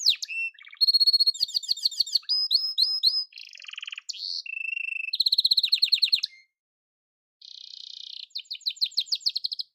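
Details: A yellow canary sings a long, varied run of bright trills, rapid chirps and buzzy rolled phrases, pausing briefly before resuming with quick repeated notes.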